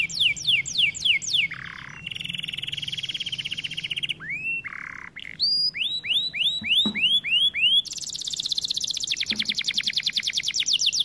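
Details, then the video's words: White canary singing: high, fast, varied song of rapid repeated notes, swooping downward whistles, rising slurs and long buzzy trills, phrases changing every second or two. "White Canary Bird Singing | Sound of nature | Canary song"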